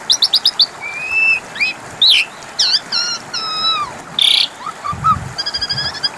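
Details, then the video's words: Asian pied starling song serving as a lure to make other birds answer: quick ticking series, sliding whistles, wavering rising and falling phrases and a harsh squawk, with a faint low thump partway through. "Pancingan suara burung jalak suren macet bunyi 🐦 5 Menit Langsung nyautt!!"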